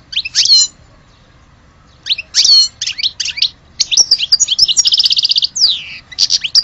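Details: European goldfinch from Algeria delivering tinkling chirps and liquid twitters, then a rapid rattling trill and a descending buzzy slur.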